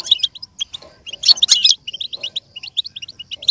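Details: Goldfinch song for a goldfinch to learn and imitate: rapid staccato chirps around a loud jangling burst in the middle, then a steady run of quick, even twitter notes.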